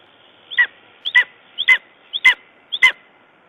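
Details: A lesser spotted eagle in Estonia, 14 June 2011, gives five yelping two-part calls, a short high note then a louder downslurred yelp, about every half second; a raven had reportedly disturbed it.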